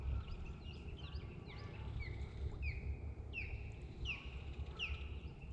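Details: Belted kingfisher heard in North America near a natural osprey nest, giving a series of harsh, sharp notes in uneven bursts over a steady low rumble of wind or engine noise.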